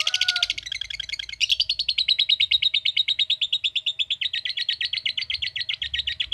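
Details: Lovebird in long 'ngekek' song: a dense, harsh opening flurry, then a steady stream of rapid buzzy pulses that slowly falls a little in pitch and carries on to the end.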